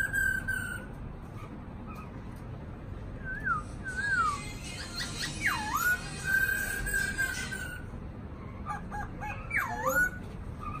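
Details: Caged black-throated laughingthrush singing clear whistled phrases: level piping notes, then bold downward-swooping whistles that curl back up, with scratchy bursts mixed in and steady low background hum.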